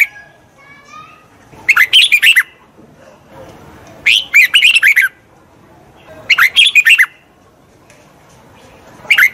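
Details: Red-whiskered bulbul song for training a wild-caught bird: four harsh, chattering bursts of tightly packed notes arriving roughly every two seconds, with quiet gaps and faint soft whistles between them.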